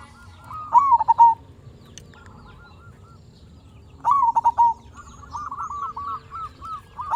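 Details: Local zebra dove singing as a lure to make other zebra doves respond. Two loud phrases of a rising note and quick stuttered coos sound about three seconds apart, then a run of softer rhythmic rolling coos.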